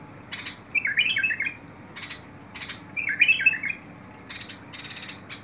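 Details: Bulbul, 21 August 2022: two rich, gurgling warbled phrases about two seconds apart, interspersed with crisp broadband clicking sounds.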